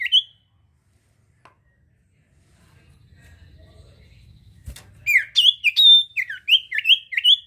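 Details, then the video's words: Sirtu bird singing to lure other birds; a lone chirp, a long near-silent stretch with faint low rumble and a click, then a lively run of high repeated sweeping chirps. "sirtu gacor cocok buat pancing bunyi burung ombyokan"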